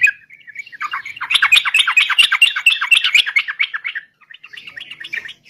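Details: Chattering sooty-headed bulbul song intended as a bird-catching lure: a swelling burst of fast, scratchy notes lasting about three seconds, fading into softer scattered twitters.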